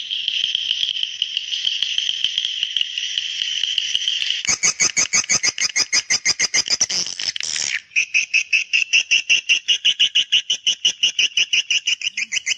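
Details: Swiftlet sound used to call young swiftlets: a long steady buzzy twitter, then rapid pulsed chirping, then a brisk run of short repeated chirps at a steady rhythm.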